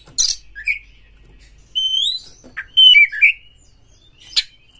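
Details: Caged Oriental magpie-robin singing to provoke other magpie-robins into singing, fast and lively: scattered phrases of sharp chips, clear rising and falling whistles and buzzy notes separated by short pauses.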